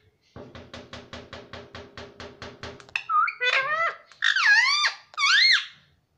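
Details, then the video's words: Pet ring-necked parakeet that talks, said to say 'mummy' and 'papa': rapid ticking pulses fill the first three seconds, then four loud, harsh, rising-and-falling whistled vocal notes follow. "मम्मी - पापा बोलने वाला तोता"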